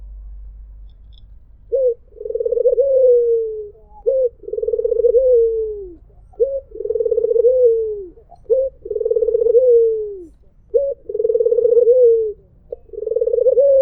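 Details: White Barbary dove calling in a melodious mpuk jeruuu pattern: a short clipped note, then a long, purring, tremulous coo that sags at its end. Five such phrases follow a quiet start, spaced about two seconds apart.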